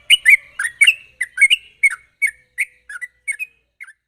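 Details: Lure recording of a sooty-headed bulbul singing fast and sharply to prompt untrained birds to sing: a string of about a dozen short, liquid, downslurred chirps, loud at first and gradually softer and more spaced.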